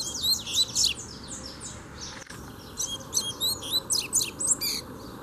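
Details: Double-collared seedeater, free bird challenging a caged bird during song training: two fast phrases of high, ringing downslurred whistles and trills, broken by a brief pause near the middle.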